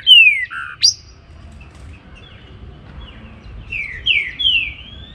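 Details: Morning song of a trinca-ferro (Saltator similis) of the Baruc song style: a loud falling whistle, a lower note and a sharp upslur, a pause, then three descending slurred whistles closing the phrase, with faint low background hum.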